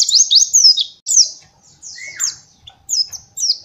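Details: White-eye master song for teaching young birds, short high chirps and downward-swept notes in spaced bursts, with one lower whistle falling away mid-clip.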